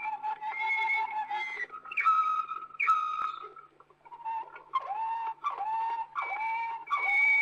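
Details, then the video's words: Waterslager canary, old record from Belgium, delivering separated phrases of liquid trills and bubbling downward-curving notes, each burst under a second, with short gaps and a brief near-silent pause midway. "Old Canary Waterslager Song - カナリアの鳴き声"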